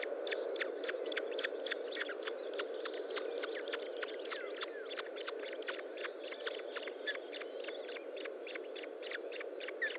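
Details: An osprey at its nest during feeding, 25 June 2012 around 10:58, gives short, sharp, whistled chirps, about three or four each second in an uneven stream, over a steady low rushing hum of wind or noise.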